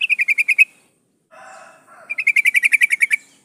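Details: Female sooty-headed bulbul in breeding condition calling the male: two bursts of rapid, evenly spaced chirps around the same pitch, about seven notes each, separated by a soft lower buzzy murmur.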